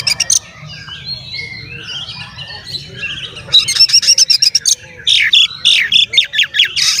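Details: Oriental magpie-robin song played to provoke other magpie-robins: quiet whistles, then loud rapid high chattering runs and rasping repeated notes in dense bursts, with a constant low hum beneath.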